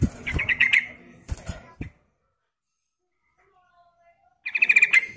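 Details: Female sooty-headed bulbul calling the male, used as a lure: a rippling whistled phrase, then several sharp knocks, a silent pause, and another rapid bubbly phrase at the end.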